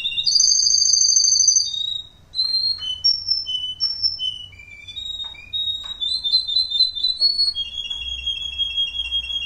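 A Russian canary sings a long rolling trill, then a fast run of clear, high whistled notes and short slurred phrases, over a faint low hum.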